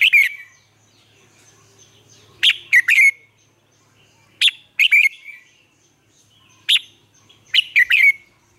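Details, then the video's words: Lure red-whiskered bulbul in a cage, Vietnam, singing for voice training of other bulbuls: clear whistled phrases of two to four quick notes with crisp attacks, repeated every two seconds or so, with silence between. "chào mào mồi luyện giọng hót hay,giúp chào mào hót căng lửa chào mào mồi"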